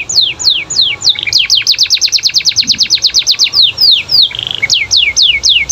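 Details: Canary song used to trigger other canaries to respond, built from a long series of loud downward-sweeping whistles repeated several times a second, with a brief fast trill near the end.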